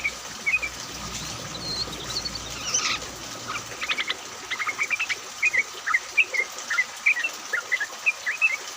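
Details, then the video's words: Group of yellow-vented bulbuls, played as a lure to get other bulbuls singing during rain; a few high whistles open, then a run of bubbly chirped notes repeats steadily. "pancingan trucuk agar bunyi, pancingan trucuk ombyokan, trucuk gacor!"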